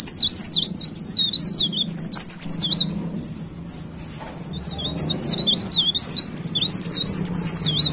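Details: Lively, high-pitched warbling of a leaf warbler (cikrak daun or blereng): repeated undulating thin phrases in two runs broken by a brief pause, low hum behind.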